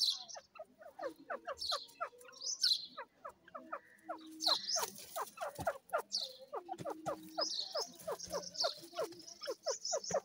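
Francolins give rapid runs of harsh, downslurred notes, several birds overlapping, with thin high squeaky chirps above.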